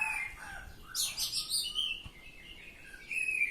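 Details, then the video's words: A short ngeplong phrase from an Oriental magpie-robin: soft whistles, then a sudden loud scratchy burst followed by clear whistled notes and a final rasping flourish. "Kacer Ngeplong"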